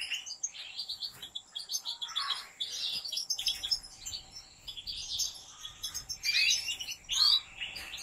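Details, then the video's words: Captive-bred European goldfinch of a prized breeding line from professional breeders delivers a fast, dense, high twittering song of liquid trills and buzzy notes, almost continuous for eight seconds. "طائر الحسون"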